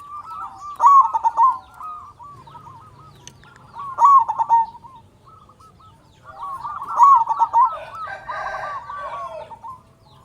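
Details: Local zebra dove singing strongly as a lure for silent or stressed doves: three rolling, stuttered coo bouts a few seconds apart, the last followed by a brief rustling noise.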